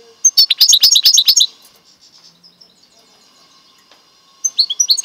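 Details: Goldfinch × canary mule song, a fast burst of sharp high twittering notes, then a near-silent pause before another short twittered phrase begins.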